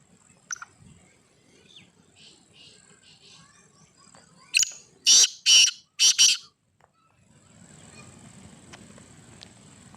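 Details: Black francolin, known locally as kala teetar, giving one brief thin note and then a loud phrase of four harsh, grating, buzzy bursts in quick succession, followed by faint background hiss.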